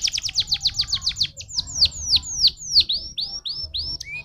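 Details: Stimulating canary song: a rapid series of descending whistled sweeps, slowing into broader downward notes repeated about three times per second, then a few rising chips.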